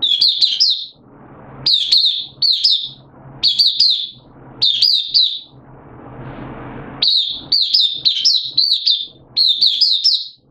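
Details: Mata puteh, oriental white-eye kept caged as a hobby songbird, opening song session 8 September 2022, form dipped a little: clustered high chirps in short repeated bursts roughly every second and a half, with a noisy pause midway.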